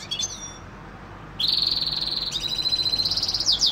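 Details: European goldfinch song opening with a few thin whistled notes, then a sustained burst of rapid tinkling, buzzy trills and repeated chirps that grow more emphatic toward the end.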